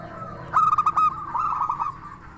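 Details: Local zebra dove with a clear crystal voice, sung to make other doves reply: a sudden loud run of quick ringing notes that fades into a softer rolling coo.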